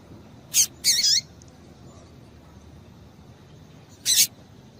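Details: Calling female double-collared seedeater, used to excite males: a brief high chip, then a longer twittering note, a pause of nearly three seconds, and one more sharp high note.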